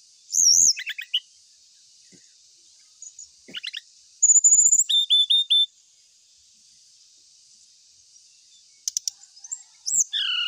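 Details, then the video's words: Ashy tailorbird singing in a lure recording meant to spur birds into song: high ringing whistles, short buzzy trills, a bright run of repeated clipped notes, and a falling whistled phrase to close. "1menit srdc langsung gacor❗pancingan paling sering di cari ,srdc manapun gacor seketika"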